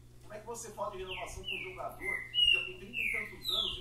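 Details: Saffron finch singing a series of loud, clear descending whistled notes, each slurring downward, while a man talks in the background.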